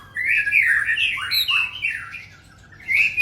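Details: Male white-rumped shama giving a short burst of loud, warbling whistled song, slurred notes sliding up and down, ending in a rising whistle after a brief pause.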